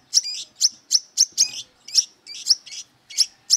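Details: Aggressive brown-throated sunbird looking for rivals, giving wiceh-style song: sharp, piercing high chirps spaced about every third of a second, each with a brief trailing whistle.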